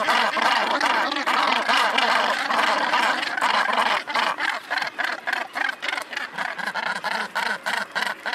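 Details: Nesting northern gannets on Helgoland cliffs; a loud chorus of rough, rasping calls, dense at first and then breaking into separate harsh bursts repeated about three times a second.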